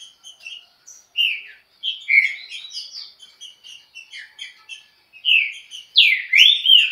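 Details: Green-winged saltator delivering the Chucrinho style very quickly, with scattered short whistled notes and chips building to loud slurred phrases, ending in a bright looping whistle.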